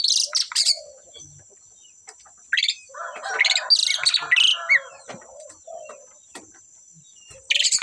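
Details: A pair of Asian pied starlings singing very actively: loud bursts of harsh, high chattering notes separated by quieter gaps, with a few lower, throaty phrases between them and a steady high-pitched whine throughout.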